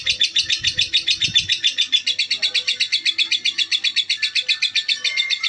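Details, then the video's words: Female lovebird of the cold type chattering in a fast, even stream of sharp, high buzzy notes repeated nearly four times a second, with brief low thumps at the start. "Lovebird betina"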